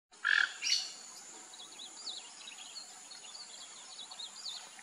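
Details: Rufous-tailed jacamar giving two sharp, loud high notes near the start, followed by faint, scattered high chattering notes over a steady background hiss.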